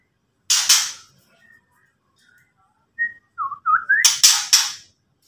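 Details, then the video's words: Ketrekan from a white-rumped shama: a loud harsh rasp, soft faint notes, then a run of short bright whistles rising in pitch and ending in three rapid harsh bursts. "KETREKAN BURUNG MURAI BARU BUAT LAWAN EMOSI"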